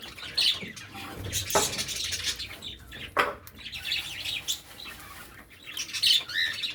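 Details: Cockatiels feeding in village life: scattered high chirps and short tweets, with a few louder bursts like wing flaps or movement mixed in.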